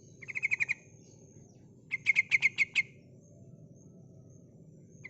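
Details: Calling female sooty-headed bulbul luring males: a brief quick rattle, then a louder series of about seven sharp chattered notes, against a quiet hum and a steady high whine.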